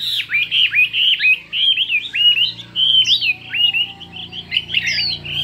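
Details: Chinese hwamei singing in a contest of many voices: a rapid, continuous run of loud looping whistles, each phrase twisting up and down, with short bright upslurs near the end.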